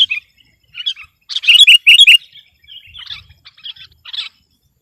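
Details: Sooty-headed bulbul in full, vigorous song meant to dominate a rival, with short warbling notes and then a loud run of rich, bubbling phrases, followed by softer chatter.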